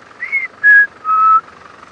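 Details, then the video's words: A black-headed batis gives three clear, pure whistles, each a step lower than the last, at a forest patch in Sabi Sand, South Africa, on a sunset drive (Jan 11, 2018). Babblers are nearby, and a vehicle idles faintly. "You can hear a black-headed batis as well."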